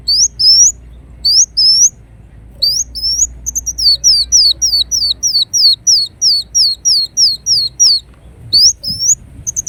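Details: Ruby-cheeked sunbird (kolibri wulung) giving scattered high, upslurred whistles that build into a fast series of thin, down-sliding notes, with short pauses between bursts.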